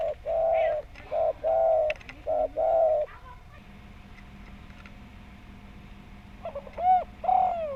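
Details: Spotted dove calling as a lure: a rapid run of five mid-pitched coos in the first three seconds, a quiet pause with low hum, then a softer phrase ending in a falling coo.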